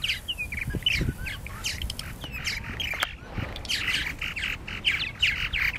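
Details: At their nesting gourds by Lake Mackintosh, Gibsonville, North Carolina, purple martins give busy overlapping chirps and squeaky slurred notes, with clicks and low rumbling noise beneath.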